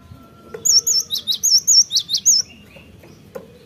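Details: Cinereous tit singing, played as a lure recording to get birds singing quickly: a run of about nine high whistled two-note phrases, fast and ringing, followed by quiet with a few soft clicks.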